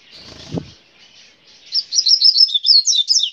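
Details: A brown coleiro sings a grego-style phrase, a fast chain of high sweet chirps lasting about a second and a half, after a short low thump and quiet rustling.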